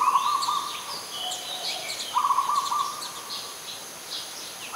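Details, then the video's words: Zebra dove, an adult, recorded 21 September 2022 in Ubon Ratchathani, Thailand, giving a fast bubbling coo at the start and again two seconds later, a third just beginning at the end, amid scattered high twittering of other birds. "นกเขาชวา (Zebra Dove)"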